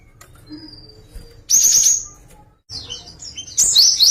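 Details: Java sparrow performing a song variation: after faint soft notes, loud sustained high chirping trills come in two bursts, the second richer and more tumbling.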